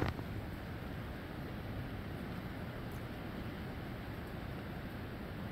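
Rain-soaked outdoor recording near Destin, Florida, with constant low rumbling wind and water noise and no animal voices.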